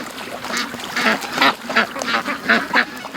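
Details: Flock of domestic ducks let out of their pen one morning, rushing to the creek after an hour's delay; loud, harsh quacks tumble over one another nearly three times a second, rising and falling in volume.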